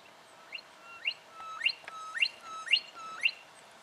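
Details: Juvenile brown goshawk recorded in Victoria, Australia, in October 2011: a series of sharp, rising, slurred whistled notes repeated about every half second, each opening with a short thin tone before sweeping upward, over faint background hiss.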